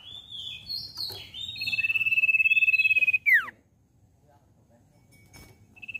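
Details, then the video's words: Common iora lure song for getting a young iora to sing: warbled chirps lead into a long, throbbing high whistle that drops abruptly, then near quiet before a brief restart. "Pancingan CIPOH BAHAN Cepat Bunyi"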